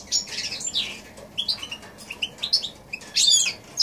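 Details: Hybrid of goldfinch and canary singing in January 2016; scratchy warbling opening, scattered short chirps, then a loud buzzy twittering burst near the end.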